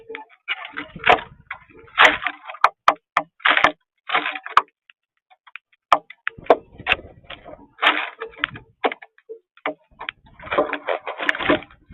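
Sharp clicks, cracks and tapping knocks in irregular bursts, with a few brief muffled voice-like sounds, in a small indoor space.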